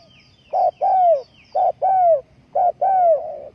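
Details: Ground decoy spotted dove kept for trapping wild birds, 20 April 2020, giving three paired phrases: a brief clipped coo then a drawn-out, descending mellow note, repeated about once a second.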